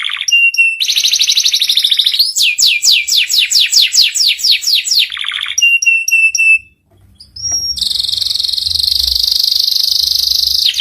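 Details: Young-canary teaching song, ngeriwik style: chattering notes and a steady tone, then a rhythmic run of falling whistled sweeps, more short steady tones, a brief pause, and a long buzzy high trill to the end.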